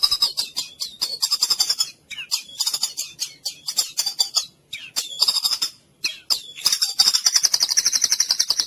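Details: White-rumped shama song used to stimulate mute, sluggish shamas: bursts of fast, high, chattering notes in runs of one to two seconds separated by short gaps, ending in a sustained bright trill.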